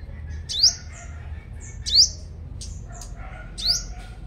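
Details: Strong-singing sunbird decoy in Long Thành, Đồng Nai, Vietnam, giving three bright, sharply rising whistled notes with short trailing tails, about one and a half seconds apart, with quieter high chips in between.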